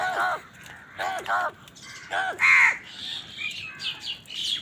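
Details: Several crows on a winter morning, squabbling with wild birds over food: harsh, arched caws in quick bursts of two and three, with higher bird chirps and twitters toward the end.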